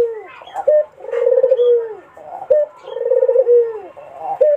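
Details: Barbary dove cooing to lure a rival: a low, rolling, tremulous coo that drops at its close, followed by a short rising note, repeated twice in a steady phrase.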